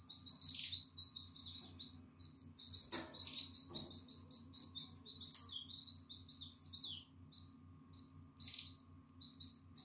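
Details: Atlantic canary chick, nine days old, eyes open and feathers growing, in its nest on 14 April 2022: rapid, thin, high-pitched squeaking cheeps in irregular clustered runs, with a couple of soft knocks and a constant low hum.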